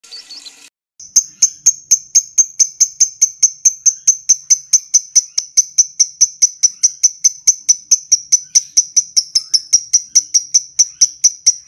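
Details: Lovebird in the 'ngetik' (typing) style, a quick way to call a lovebird into a long 'ngekek' trill: sharp, high ticks repeated evenly about twice a second for over ten seconds after a brief opening burst.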